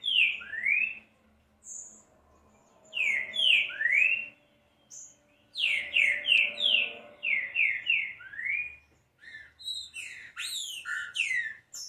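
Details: Green-winged saltator, played to warm up another bird, delivers repeated phrases of sweeping whistles, mostly falling with some rising. Scattered thin high notes are mixed in, and a busier jumble of calls comes near the end.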